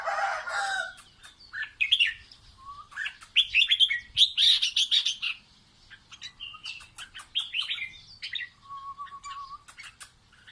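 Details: Red-whiskered bulbul singing playfully to teach its chicks: a long run of rapid chirps and rich warbled, whistled phrases, some sliding, with brief pauses between bursts.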